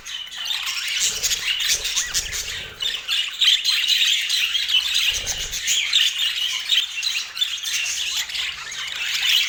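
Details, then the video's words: Several rainbow budgerigars eating sweet apple, keeping up a long stream of soft, busy chirping and scratchy warbling at high pitch, with faint low knocks from handling or movement at times. "Relaxing Budgie Sounds"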